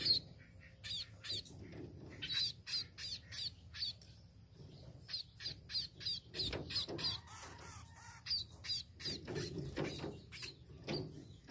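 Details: Long run of rapid, high, sharp chirps from a tame sparrow, coming in dense irregular bursts, faint at first then busier, with low hum and light knocking beneath.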